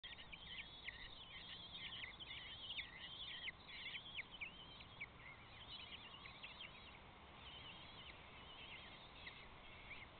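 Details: Common kestrel chicks in their nest box call for food with shrill, trilling begging calls in a continuous, overlapping chatter, rising and falling in intensity, over faint background noise.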